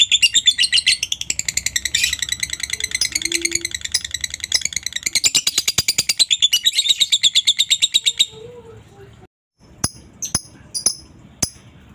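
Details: Lovebird giving a long ngekek chatter used to make other lovebirds respond: rapid, harsh, buzzy notes repeated about three per second for eight seconds, then silence and a few sharp isolated clicks.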